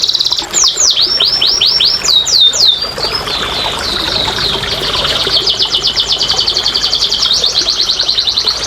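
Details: Canary song played to stimulate silent canaries: several clear downward-curving whistles repeated in a row, then a long, fast, even trill continuing to the end.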